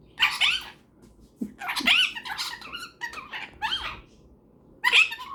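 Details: Indoor cockatiel chattering with a companion superb parrot before bed: shrill, squeaky notes and upward whistle flicks, repeated in irregular bursts about every second.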